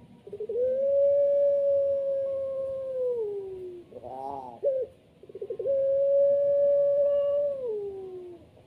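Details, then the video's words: Long-voiced puter pelung dove giving a sustained, even, pure note lasting about three seconds that slides downward at the end, followed by quick rapid pulsed notes, then a second long held note. "puter pelung suara panjangnya bikin merinding"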